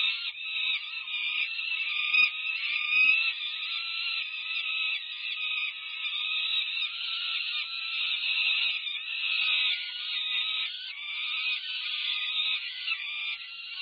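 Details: Food-begging screams of peregrine falcon nestlings, five-plus weeks old, near fledging, as the adult female feeds them at a Berkeley, California nest in May 2023; a long unbroken rasping wail that swells and fades gently, recorded by nest cam.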